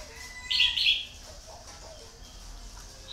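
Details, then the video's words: A red-whiskered bulbul used as a lure decoy delivers one short, loud, two-part warbling phrase lasting about half a second, followed by quiet background with faint distant chirps. "CHÀO Mào MỒI"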